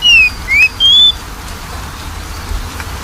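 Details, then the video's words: Oriental magpie-robin song played as a lure to coax a lazy singer into singing: three clean whistles in quick succession, a falling note, a short rising one and a longer level note, then quiet. "PANCINGAN KACER MALES BUNYI"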